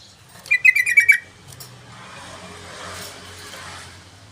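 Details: Yellow-vented bulbul singing actively in a lure and tutor recording: one quick phrase of about six bubbly, slightly descending notes early on, followed by background hum and rustle.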